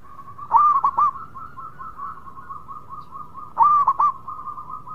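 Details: Local zebra dove singing busily: two loud bursts of three quick hooked coos about three seconds apart, with a steady run of softer bubbling cooing notes continuing in the background.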